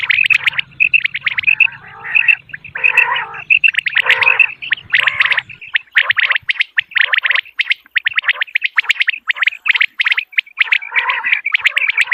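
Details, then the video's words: Common quail heard in the morning, sound used to attract birds for hunting: long, continuous stream of quick high chirping notes broken by several coarse, gargling bursts, with a low hum fading out midway. "Morning Quail Call 2025 صوت السمان واضح للصيد Batair Ki Awaz بٹیر کا شکار"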